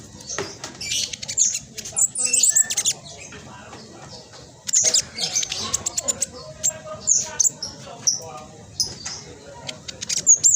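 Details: Black sunbird, speckled and singing steadily, fast dense chatter intended to provoke reluctant birds into song; long runs of high, rapid twittering and squeaky trills, broken by a short pause midway.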